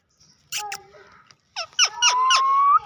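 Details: Urdu-speaking talking parrot, a pet filmed face to face indoors, utters short harmonic word-like syllables, then a rising drawn-out squeaky whistle near the end.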